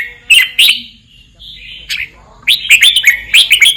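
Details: Red-whiskered bulbul, southern Thai 'boen 234' song for copying: two loud whistled notes, a soft trailing note and a near silence, then a fast burst of sweet warbled phrases.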